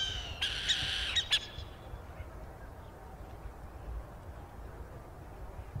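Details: Burrowing owl owlet in Brazil uttering a harsh, rasping screech lasting about a second, broken by clicking pulses, then quiet low wind noise.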